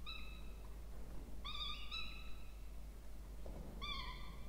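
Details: Two Peregrine falcon chicks being fed at a nest box in a water tower at Charles Sturt University, Orange, New South Wales, Australia, 20 October 2024; three drawn-out, harmonic whining calls, each about half a second, over steady low hum.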